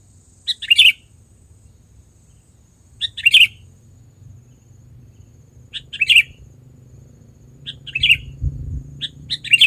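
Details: Sooty-headed bulbul used as a lure, giving short, sharp single chirps spaced roughly every two to three seconds over a low background rumble.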